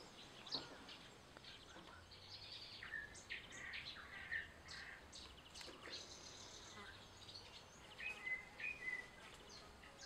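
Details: House sparrow at a country dacha, where a local sparrow stole a tame sparrow's favourite biscuit; short scattered chirps and a few brighter tweets toward the end, over a quiet outdoor background with faint voices.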